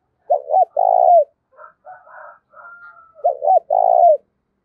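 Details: Decoy spotted dove in 'giọng thổ' style, used to draw wild doves. Two phrases of two short looping notes plus a long burry coo, with faint chirps and a thin whistle heard in the gap between them.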